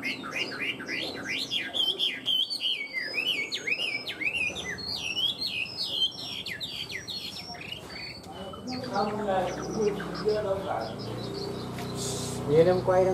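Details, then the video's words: Tame caged Chinese hwamei delivering a fast, jumbled run of sharp whistled slurs and warbles for about eight seconds, then quieter notes as a man's voice takes over. "Chim họa mi thuần hót tốt"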